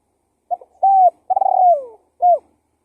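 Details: A full spotted dove lure phrase: a faint stuttering start, a steady coo, a longer tremulous coo falling in pitch, and a short clipped closing coo, in a quiet setting.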